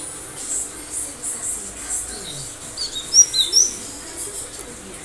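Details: Cinereous tit singing as a kept cage bird: a single quick burst of three high, sharp, falling whistled notes near the middle, with quiet background noise before and after.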